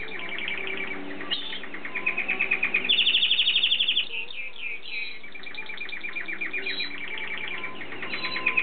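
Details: Canary singing a courtship song: continuous varied warbling with rapid rolled trills, including a fast pulsed high trill around the middle, then chattering repeated notes, steady indoor background hum.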